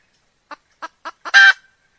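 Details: Hen calling with four evenly spaced clucks that grow louder, ending in a loud, grating squawk. A quiet setting.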